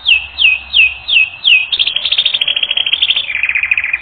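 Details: Canary singing on a training recording: five loud descending slurred whistles spaced evenly, followed by a long, fast, buzzing trill that holds steady, then drops slightly lower in pitch.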